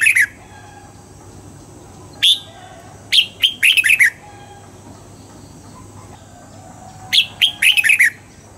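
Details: Red-whiskered bulbul singing at dawn in the double-note, mature wild style (âm kép già rừng), used for voice training: three bursts of quick, bright chirped notes, each a few slurred whistles run together, separated by pauses of several seconds over a faint steady hum.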